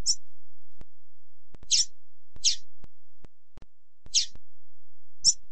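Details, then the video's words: A female double-collared seedeater gives calls used to excite and stimulate males: five thin, high chips at uneven intervals over about five seconds, with faint low clicks in between. "CANTO PARA ESQUENTAR COLEIRO,piado para FOGUEAR coleiro,MELHOR PIADO DE FÊMEA-FEMEA PIADEIRA"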